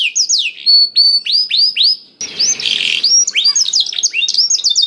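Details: Canary tutored with blackthroat song, played as a lure to get canaries singing quickly and vigorously; high downslurred whistles repeat in a row, then a brief harsh noisy burst, followed by quick varied chirps.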